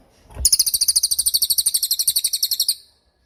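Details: Cililin song made for training songbirds: a single click, then a fast, piercing high trill of rapid, even chirps lasting over two seconds, about nine notes per second, ending abruptly.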